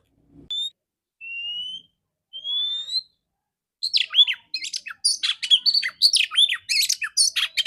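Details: Female Oriental magpie-robin singing in the morning with a clear voice, used as a lure to stimulate males: three long pure whistles that rise slightly, then a rapid run of varied sweeping, chattering and whistled notes.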